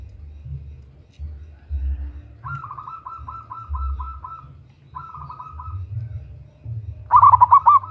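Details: Female local zebra dove calling a male, used to lure birds: long soft trills of evenly spaced pulsed notes, then a loud bubbling coo phrase at the end, with low rumbling noise throughout.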